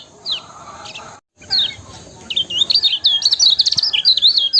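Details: Yellow-bellied prinia song, played to stir other birds into singing. Scattered high chirps come first. After a short gap, a dense, rapid string of thin, squeaky twitters builds and continues to the end.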